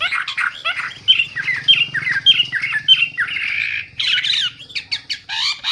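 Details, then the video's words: Hwamei giving loud, clear, chatty song: harsh, squawky phrases repeated at a quick pace with bright accents, then scratchy varied notes. "Hwamei/wambi gacor full isian suara keras jernih"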